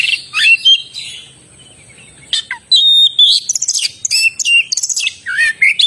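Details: Lively oriental magpie-robin song: scratchy chatters and bright whistles, a pause, then a dense stream of varied high notes and buzzy trills.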